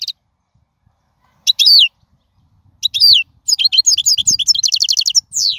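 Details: European goldfinch in the wild, a song for teaching fledglings: two separate nasal downslurred rasps, then a lively stream of twittering and rapid repeated notes ending in a buzzy slur.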